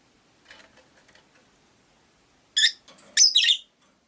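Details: Captive rosy-faced lovebirds, five kept in a cage beside a window, give two loud harsh high chirps after a stretch of faint soft chatter and muffled street sounds.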